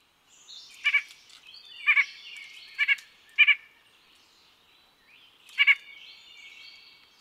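White-breasted Nuthatch giving nasal, doubled quank notes, five of them spaced about a second apart, with thin high twittering from other birds behind.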